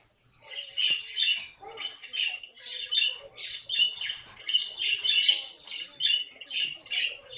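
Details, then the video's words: Pet caique parrot giving a rapid series of harsh, shrill squawks, each burst short and raspy, repeated about twice a second without pause for the whole stretch. "попугай каик!"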